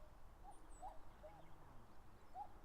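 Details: Common cuckoo in the Mount Fuji foothills, Japan, late May, contesting territory: faint, soft two-note cu-coo calls, one falling pair and a further note, over a low rumbling background.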